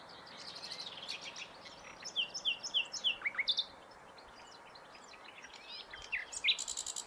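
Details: Common nightingale in varied song: dense high chattering notes, a run of loud repeated downslurred whistles, a brief pause, then further chirps and a rapid high rattle.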